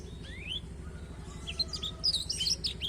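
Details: Black-throated canary singing as a tutor for a canary: a rising whistle, a pause, then a dense burst of high chirps and warbled notes over constant low background hum.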